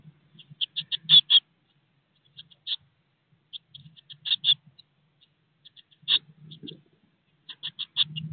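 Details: In a nest box, Eurasian blue tit young aged 16 days, near fledging, utter clusters of high, piercing begging chips in short irregular bursts separated by brief pauses, over faint low rustling.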